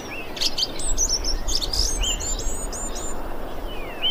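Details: Thrush calling, recorded 25 February 2021: high whistled notes and quick slurred phrases, several in a row in the first two seconds, with softer descending slurs later over steady background noise.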